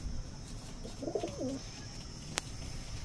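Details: Punjabi pigeon, offered for sale in Najafgarh, Delhi, gives one low cooing phrase lasting under a second, with a rolling wavering tone over steady background hiss and a single sharp click afterwards.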